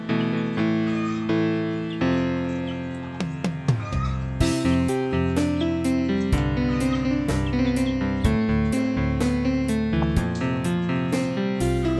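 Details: Instrumental music only, with plucked guitar and piano notes over a steady beat, and no animal sound heard.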